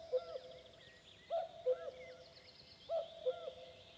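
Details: Common cuckoo (Cuculus canorus) on a May evening in forest at Vändra, Pärnu County, Estonia, gives its soft two-note 'cu-coo', higher then lower, about every one and a half seconds, with a slightly unusual falling pattern, small birds whistling behind.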